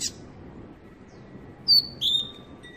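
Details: A captive-bred, six-month-old young double-collared seedeater gives two brief, bright whistled notes near the end, the second slightly lower and slurred, over a low background hum.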